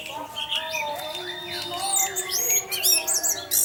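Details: Short stretch of orange-headed thrush teler song used to lure other thrushes: long drawn whistles give way to fast twisting high notes and sharp bursts near the end.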